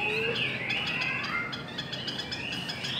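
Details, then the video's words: Chinese hwamei singing in a contest: a noisy mix of whistled notes around the middle-high range, some sliding and others held, with a low whistle at the start and steady background hiss. "Chim họa mi hót đấu"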